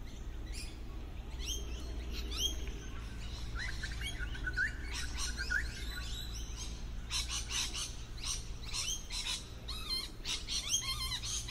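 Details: Lorikeets hidden among tree foliage, camouflaged well: scattered shrill notes at first, then a dense burst of harsh overlapping screeches and squeaky twittering in the last five seconds, low steady hum underneath.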